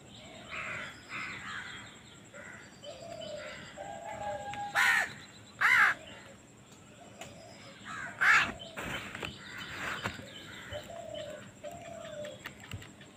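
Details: Hungry baby crow during feeding gives several short, harsh, raspy bursts scattered through the recording, set against a busy background of softer chirps and calls from other birds and a constant high hiss.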